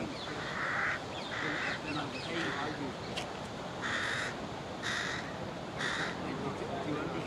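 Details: A young carrion crow begs from a parent that refuses to feed it, giving harsh, nasal begging caws, about six in a row, roughly one each second, over a steady outdoor hiss.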